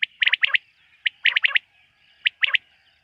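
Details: Quail at night, in a setting linked to quail hunting: bright, clipped chirps in quick clusters of three or four, then a pause of under a second, over a constant thin high background hum.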